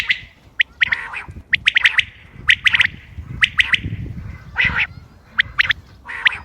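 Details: Common quail calling, recorded 28 May 2025 for use in hunting: short bright clipped notes in quick bursts of two or three, with uneven gaps and some low background rumble.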